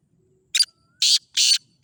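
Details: Black francolin, a male calling: a quick short double note followed by two long, loud, rasping grating notes, sharp and high, with near silence between.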